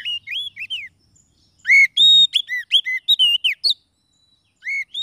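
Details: Lure song of an Oriental magpie-robin for catching wild birds or stirring a quiet one to sing: varied ringing whistles, upslurred and downslurred notes and sharp chips in quick succession, a gap, then a single bright whistle resuming.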